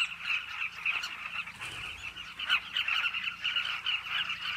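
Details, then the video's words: Carmine bee-eaters calling at a cliff colony, a thick wall of overlapping gravelly chirps from numerous birds, with a few louder bursts standing out from the constant chatter. "The Carmine Bee-eaters cliff colony."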